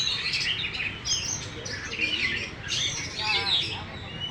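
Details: Caged contest-winning Oriental magpie-robin singing with its tail opened wide. Busy whistled and scratchy phrases fill the recording, and faint human voices can be heard underneath.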